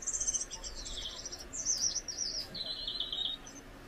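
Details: Gouldian finch from a pair: a short burst of high, thin song with a buzzy opening, wavering slurred notes and a drawn-out downward buzz at the finish, lasting under four seconds.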